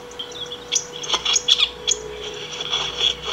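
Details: Saffron finch singing continuously to call or train: scattered short, sharp high chirps and ticks spaced irregularly, with no full phrase, over a faint constant low hum.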